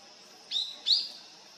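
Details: Long-tailed rosefinch arriving in winter: two clear, high, upslurred whistled notes about a third of a second apart, in a quiet setting.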